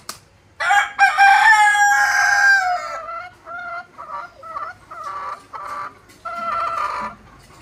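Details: Desi rooster crowing: one long harmonic crow lasting over two seconds with a slight fall, followed by a run of shorter broken syllables and a brief clucking tail.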